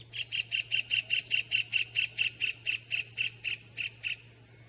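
White-throated Kingfisher giving a fast series of about seventeen loud, high, clipped notes, three to four a second, easing slightly at the end, over a faint low hum.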